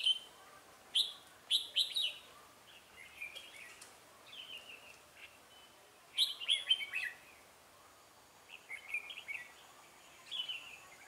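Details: Red-whiskered bulbul singing as a trap decoy to draw in rival birds; repeated bursts of sharp, bright chirps and slurred whistled notes, phrases returning every few seconds over quiet background.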